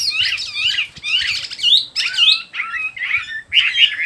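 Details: Bird song in short bursts of scratchy, sweeping chirps and whistled trills, about one burst every half second, with a faint low rumble underneath.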